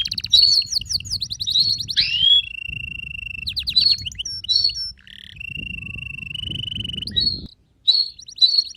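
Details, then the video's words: Canary singing a rich, varied song: rapid rattling trills and sweeping notes, a long steady whistled tone held for over a second, then more bright trills and chirps, with a soft low rumble underneath. "لا تحرم كنارك من الغناء إجعله يغرد بشكل دائم فقط دقيقة وراح يغردcanary snging bird"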